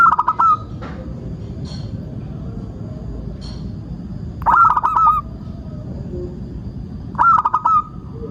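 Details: Local zebra dove song serving as a lure for singing doves. Brief bubbling coo phrases open the sequence, then return after long quiet gaps, with low background rumble throughout.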